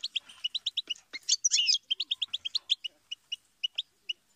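A goldfinch sings a quick, high twittering run of bright chips, about five notes a second, with a short harsh buzzy burst in the middle.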